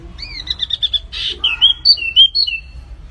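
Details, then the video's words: Lively flamboyan bird song for tutoring other songbirds: a sharp, descending whistle, then a short series of clipped notes, a harsh burst and clear high whistles that rise and fall. "SUARA BURUNG MIRIP FLAMBOYAN GACOR"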